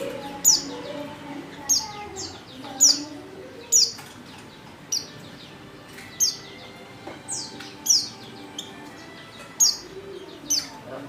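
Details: Lure call of a female Oriental white-eye meant to draw males into song: high, thin, downward-sweeping chirps repeated roughly once a second, fairly quiet, with faint low tones and hum behind.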